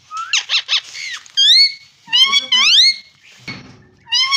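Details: Parrot talking: quick squeaky pulses, then loud upsweeping whistles with overtones, a low rough voice-like sound, and a final bright rising whistle.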